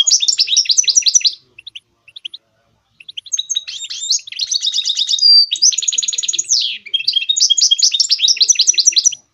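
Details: Goldfinch mule, a goldfinch hybrid, singing a fast, twittering song of rapid chirps and rattling trills, with a brief silent break before richer buzzy and whistled phrases resume.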